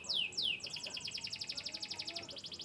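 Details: Canary from Yorkshire stock of Turkey and US origin giving two loud downward-swooping whistles followed by a fast, even, buzzy trill.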